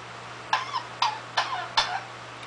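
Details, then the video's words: Pet parrot imitating a cough: four harsh, explosive cough-like bursts, each trailing off into a short raspy tail, spaced about half a second apart, in a quiet indoor room with a low hum. "My Parrot Oliver Coughing"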